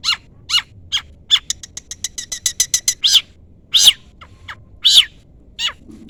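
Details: Long-tailed shrike rival-calling: harsh scratchy notes, then a quick run of thin high ticking notes, followed by louder rasping calls with descending tails.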